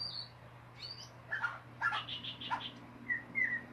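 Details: White-rumped shama in the ngeriwik singing style: scattered short whistled notes and a quick series of clipped chirps, then two drawn-out, slightly falling whistles, with a steady low hum behind.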